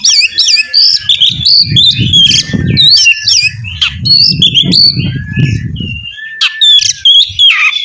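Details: Lively Oriental magpie-robin song used to coax another bird into singing: dense high whistled phrases, quick upslurs and clicks tumbling without pause, over a low muffled rumble.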